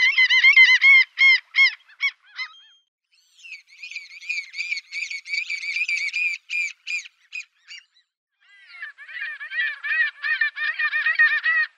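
A gull gives three runs of loud, harsh, nasal yelps, each a fast string of about ten strident notes, with short pauses between runs.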